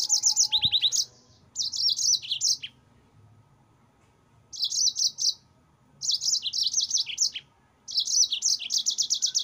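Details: Yellow-fronted canary kept in a cage, delivering master song for training other birds: repeated phrases of fast, high, tinkling trills broken by gaps of one to two seconds.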